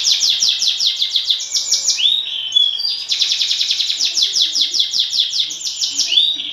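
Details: Champion canary singing as a lure to stir other canaries to sing: long, dense, high rolling trills, briefly broken by a rising whistled note near the middle, then resuming in rapid pulses.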